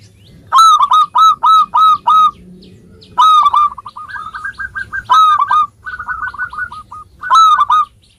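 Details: Lively local zebra dove song used to coax silent birds: runs of loud evenly spaced ringing notes, then softer quick trills overlapping further loud notes.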